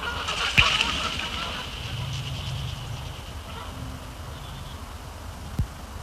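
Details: Canada Geese at frozen Sapsucker Woods Pond late in the day, a pre-sunset visit ending in takeoff; one sharp honk stands out near the start, followed by softer calls and a low hum, with a knock near the end.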